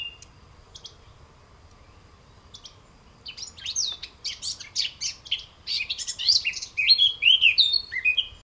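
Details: European goldfinch (Carduelis carduelis) song beginning with a few scattered soft chips, then building into loud, rapid, tinkling twitters and buzzy trilled notes in a tumbling phrase.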